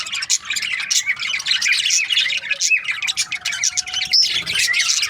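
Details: Breeding pairs of budgerigars in continuous, dense chatter, a steady stream of high warbling chirps and squeaks with no break.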